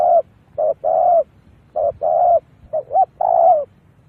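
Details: Spotted dove cooing, used as a lure call to attract wild doves: loud, hollow coos in short groups, a brief note followed by a longer drawn-out coo, repeated about every second, with no other sounds.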